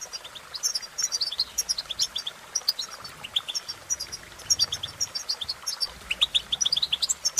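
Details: European goldfinch in sustained twittering song, rapid high chirps and liquid trills tumbling one after another, with denser bursts in the middle and near the end.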